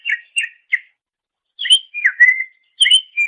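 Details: Greater green leafbird, master recording for training songbirds: short clear whistled phrases, falling slurs and a sustained whistle, separated by brief pauses.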